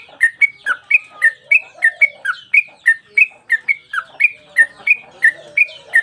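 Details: Singing Sooty-headed bulbul, tail swinging, recorded for use as master audio for cage birds. Clear, ringing chirps with quick up-and-down inflections repeat about three times a second without pause, over a faint steady tone.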